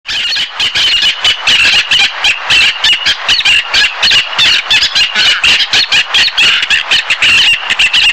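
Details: Black-naped terns (Sterna sumatrana) giving harsh, high, rasping squawks that overlap almost without pause, like several birds calling together.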